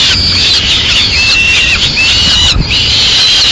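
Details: A male peregrine falcon in Madrid feeds a swift to his chicks rather than leaving it whole. Shrill, drawn-out screeching runs steadily, with wavering slurred notes and one brief break near the end.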